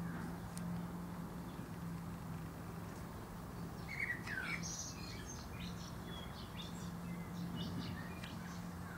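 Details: Male common blackbird singing from the top of a plum tree; a single short phrase near the middle, a low fluted warble sliding downward followed by a brief high twittery flourish, with scattered faint high notes afterward over a steady low hum.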